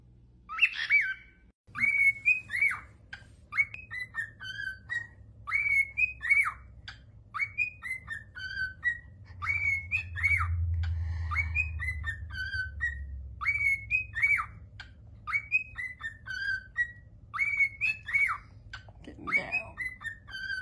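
A cockatiel whistles a lively tune of clear, bouncing notes that rise and fall in quick phrases.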